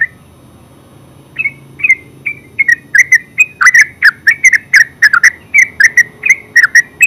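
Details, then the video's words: Terucuk, or yellow-vented bulbul, building into ngeropel song: sparse single whistled chirps at first, then a fast, steady torrent of bubbly downslurred notes for the final four seconds. "Terucuk full suara ngeropel"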